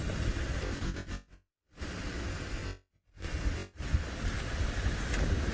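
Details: Dense background music broken by two short silent gaps, with no animal voice heard.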